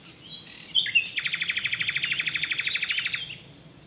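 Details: Common nightingale: a few brief whistles, then a powerful, machine-like series of roughly twenty-five very rapid repeated notes over two seconds, closing with a short whistled flourish.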